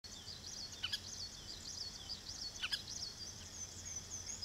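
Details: Common waxbills, an introduced escaped cage bird, foraging at Old Iron Bridge wetland in Taiwan, recorded 23.06.09; continuous thin, very high chittering notes overlapping from several birds, with a steady low rumble beneath.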